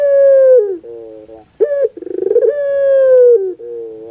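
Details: Barbary dove in pelung style, a lure to get a lazy dove singing: a long falling coo and short lower notes, a sharp rising note, a rapid stuttering pulse series, then another long drawn coo.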